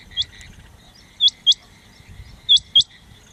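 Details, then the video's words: Rain quail calling, recorded 9 January 2023: sharp, high, metallic double notes, pairs repeated about every 1.3 seconds, over faint low rumbling background noise. "Rain quail call 9-1-2023/ chirnga Batir ki awaz"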